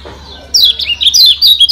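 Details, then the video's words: Lombok yellow white-eye (kecial kuning) master song: rapid, high twittering of thin rising and falling whistled notes, starting after a brief quiet hum and running on without pause, used to train birds to become aggressive. "Masteran Kecial Kuning Joss SUPER GESIT"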